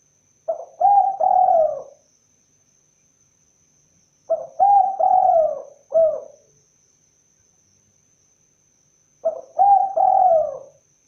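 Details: Three repeated cooing phrases from a spotted dove, each opening with brief clipped notes and swelling into a longer mellow coo, spaced roughly four to five seconds apart against near silence.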